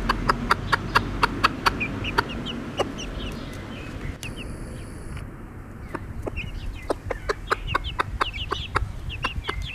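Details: Bobtail-coloured Pekin bantam hen with chicks. A dense run of crisp tapping clicks fills the opening seconds. Thin, high chick peeps follow, falling in pitch and coming in little clusters, with low rumbling background noise early on.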